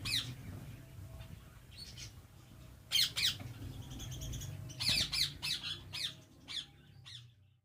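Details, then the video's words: Rose-ringed parakeets at a large ringneck breeding farm, harsh screeching squawks in short clusters over a steady low hum. "Ringneck Parrot Purchase From 400 Pairs Ringneck Farm"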